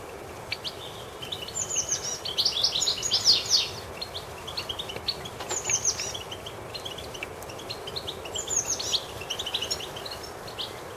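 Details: Common blackbird chick with its mother in a garden: bursts of high, thin chirps and twitters come and go over about eleven seconds against a steady rushing background noise.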